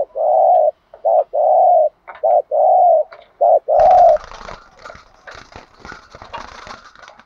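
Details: Decoy spotted dove from Dak Lak, Vietnam, giving a run of low coos: short hoots alternate with longer steady ones, about six notes in quick succession. Loud rustling and clattering noise takes over in the second half.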